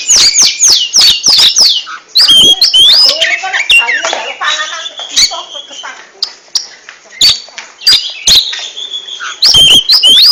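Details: Oriental magpie-robin (kacer) in ngentrok-style song: quick runs of sharp chips and whistled slurs, a busier jumbled middle section, then sparser single notes before a final burst of bright whistles.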